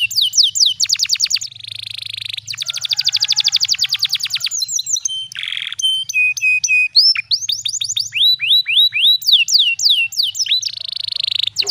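A canary sings a long, fast medley of high rolling trills, buzzy runs and clear repeated whistled notes, changing phrase every second or two.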